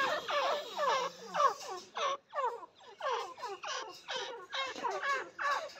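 A francolin gives harsh, grating notes that fall and crackle, repeated about twice a second in an uneven, chattering series.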